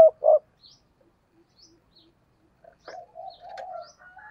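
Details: Spotted dove kept as a decoy to draw wild doves; two loud, short coo notes open, then after a pause a softer, wavering run of cooing notes, with faint chirps in the background.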